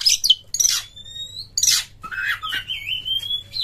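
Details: Lure song of an Oriental magpie-robin (kacer), loud ngeplong style meant to set other magpie-robins singing: harsh high bursts broken by long, clear, level whistles and a lower slurred note, over a faint low hum.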